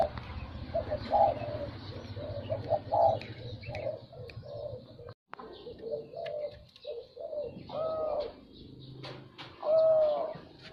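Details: Zebra dove song: short, mellow cooing notes in loose bursts, some rising and bending, spread across the clip with pauses between phrases over a low background rumble.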